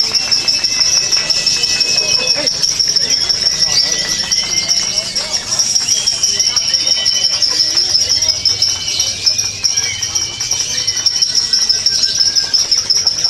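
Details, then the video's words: Lovebird at an anniversary bird-contest event, singing one long unbroken stretch (narik kelar): a continuous high, dense chattering trill holding a steady pitch for the whole stretch, with people talking and crowd noise throughout. "LoveBird INI SEKALI NARIK KELAR"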